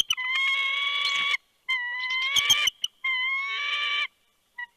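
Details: Bald eagle on the Big Bear nest camera, 3 February 2020, late afternoon, when a good-sized fish is brought to the nest: three long, steady whining cries, each over a second long, separated by short pauses and a few clicks.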